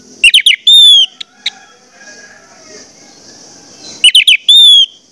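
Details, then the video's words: Orange-headed thrush song played to trigger singing in other orange-headed thrushes; two bursts of quick chattering notes ending in a long slurred whistle, separated by a quiet pause with faint background noise and a steady high hiss. "pancingan anis merah bikin anis merah lain cepat ngeplong"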